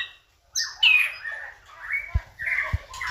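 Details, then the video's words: A white-rumped shama gives rich, varied phrases of whistles and harsh chattering notes around two to four kilohertz, with two low thumps, as a lure song to make other shamas sing and get excited. "pancingan MURAI BATU agar GACOR"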